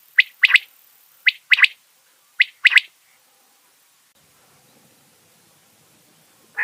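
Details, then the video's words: Quail from Mianwali, known locally as batair. It gives three clear phrases, each a sharp high note followed by a quick double note, spaced about a second apart. The calls then stop, leaving near silence. "بٹیر کی مست آواز"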